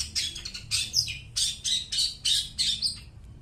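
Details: Long-tailed shrike singing to lure and train mute shrikes: harsh, rasping squawked phrases in rapid bursts, about six in three seconds, each broad and scratchy with bright squeaks inside.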